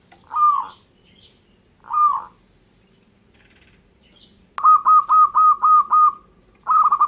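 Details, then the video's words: Zebra dove of a local strain in full song: two separate soft trilled coos, a pause, then a fast run of six clipped, pulsing notes and a further rolling burst at the end. "suara perkutut lokal gacor"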